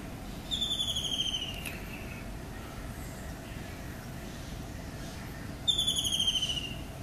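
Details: Kingfisher calling in the morning: two bursts of a shrill, high, slightly descending rattling trill about five seconds apart, over steady low background noise.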